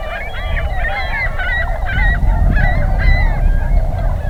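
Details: Tundra Swans at an early spring migration stopover near Pinery Provincial Park in southwestern Ontario, heading north to breeding grounds; overlapping nasal, bugling honks from many birds, with low rumbling wind or traffic noise underneath.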